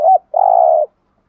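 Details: Lure spotted dove in thúc gù style: a brief dipping two-part note, then a clear, even, drawn-out coo lasting about half a second.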